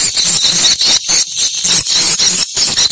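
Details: Swiftlets recorded to check a site, giving a dense, shrill, high twittering chatter that runs almost without pause, broken by brief regular gaps about every quarter to half second.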